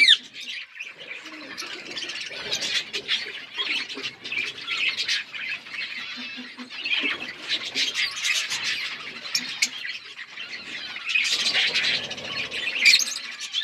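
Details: Several parrots chirp while eating, a dense, continuous high chatter of scratchy squawks and tweets, getting louder near the end.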